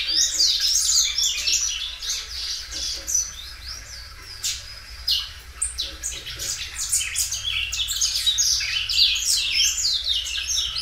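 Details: Loud Belgian canary, a well cared-for songster, repeating and extending its song; bright high trills open, sharp separated chirps follow, then a long dense warbling run closes.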